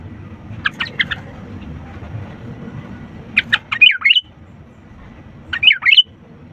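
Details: Sooty-headed bulbul singing to stir lazy birds into song: brief clipped notes followed by rich rolling warbled phrases, two bursts a couple of seconds apart, over a low steady background murmur.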